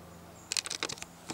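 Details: A great spotted woodpecker taps on a tree: dry, woody knocks, about eight quick, uneven taps in half a second, a short pause, then one last tap.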